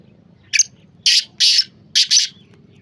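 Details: Loud rasping call of a black francolin (kala teetar): one brief scratchy note, then two paired grating bursts, each pair close together, the whole phrase lasting under two seconds over a quiet low background hum.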